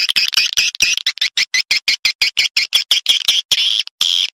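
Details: Swiftlet call for luring birds from other swiftlet houses into a private nesting house; rapid run of short, sharp, high chirps, about three each second, steady and clipped, with a slightly longer buzzy note at the end.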